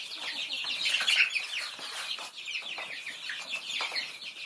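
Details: Thai chicks feeding, many at once: a dense chorus of high overlapping peeps with constant pecking and rustling.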